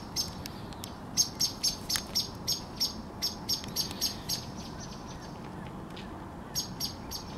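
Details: Calling common blackbird, recorded 10 April 2021, giving a long even string of thin, high, ticking notes at roughly three per second, then a brief pause and two more notes, with a soft low background hum.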